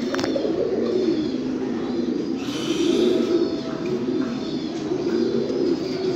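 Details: Domestic fancy pigeons, several birds cooing together in low, throaty, rolling murmurs that overlap almost without pause, with a brief higher chirp early on and a steady background hiss.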